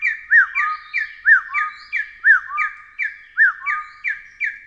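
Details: Taiwan hill partridge calling steadily, clipped downslurred notes followed by softer upswept whistles, the pattern repeated roughly once a second.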